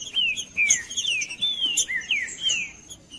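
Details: Trinca-ferro, or green-winged saltator, in song meant to rouse a cold captive bird: a run of bright, downward-slurred whistles and short rising notes, closely spaced, over a faint constant high-pitched tone.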